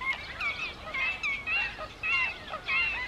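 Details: Evening in the Camargue, wild greater flamingos calling: loud nasal honking, goose-like calls with bent harmonic tones, given in short bursts about every half second, with a softer flock babble behind them.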